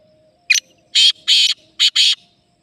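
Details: Black francolin, known locally as kala teetar, giving a loud harsh call of five grating notes: one short opening note, then two longer rasping ones, a pause, and a final quick pair, over a faint steady low hum.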